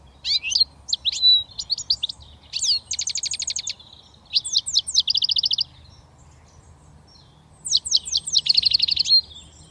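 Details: Young British European goldfinch just starting to whistle: bursts of bright, high twittering notes mixed with rapid buzzy trills, broken by short pauses, over a faint low background hum.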